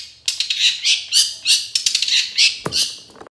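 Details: Long-tailed shrike song used to provoke other shrikes into singing: high, harsh chattering notes in quick irregular bursts, scratchy and squeaky, ending with a lower rasping note.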